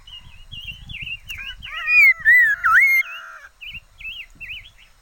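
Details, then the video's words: Caged liocichla used as a decoy bird, singing clear whistled phrases: short wavering notes, then a louder run of sliding whistles with a deep dip, followed by three quick warbled notes; faint low rustling beneath. "Chim mi lửa mồi hót hay"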